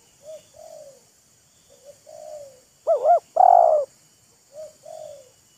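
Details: Spotted doves calling back and forth, a wild bird and a decoy bird mocking and luring each other: quieter falling two-note coos alternate with one loud, near, wavering and buzzy coo phrase in the middle.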